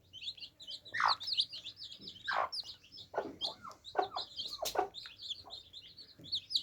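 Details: Baby chicks drinking water, filling the recording with a dense chorus of high, short peeps. The peeps overlap continuously, with louder downward-sliding cheeps and soft tapping sounds mixed in.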